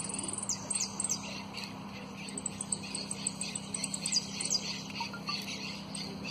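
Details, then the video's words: Sustained high whistle opening into a run of sharp, trilled notes and chips from a runner-up competition saffron finch, continuing in uneven bursts, with a low steady hum behind; prio, golpe y pitadas song. "JILGUERO AUDIO "EL DELFIN" ( prio, golpe y pitadas)"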